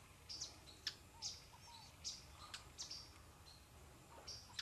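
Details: Orinoco spinetail recorded on river islands near Puerto Ayacucho on the Venezuela–Colombia border, giving a series of brief, high, dry chips at an uneven pace, with faint lower slurred whistles and steady ambient hiss.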